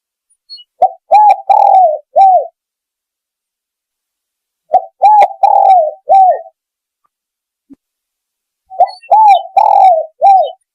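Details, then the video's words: Spotted dove lure call used to attract birds: three clear, mellow cooing phrases, each a quick run of four or five hooting notes with a longer drawn middle note, spaced about four seconds apart, in a quiet setting. "SUARA PIKAT MP3 BURUNG TEKUKUR"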